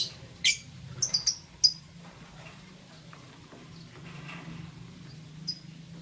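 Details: Lovebird, green, yellow or lutino, in the morning: a few short, shrill, high chirps, some in quick clusters of three, separated by quiet gaps, with a low hum underneath.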